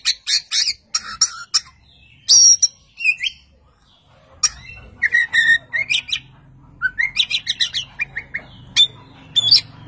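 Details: Singing Oriental magpie-robin that sets another magpie-robin answering; quick series of sharp chirps, a harsh squawk, then rising whistled notes and clipped staccato phrases with brief pauses, faint low hum underneath.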